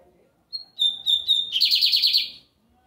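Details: A bigodinho americano, the lined seedeater, in full Sunday song: one thin opening note and a run of level whistles leading into a rapid, harsh, pulsing trill that lasts about a second.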